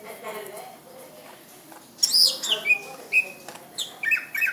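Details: Greater green leafbird singing: a quiet opening, then loud high sweeping notes and short whistled phrases, steady whistles repeated near the end, over faint background noise.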